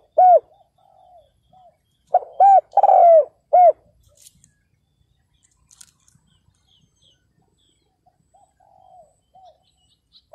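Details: Spotted dove decoy calling to lure wild males: one loud phrase of clipped hoots and a long falling coo, bracketed by soft, distant cooing from other doves.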